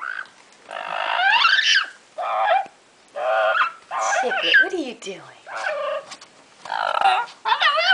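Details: Excited female double yellow-headed amazon parrot playing in her favourite hideout, an open cabinet, gives loud, raspy, wavering talking bursts about one per second, including a mimicked "hello".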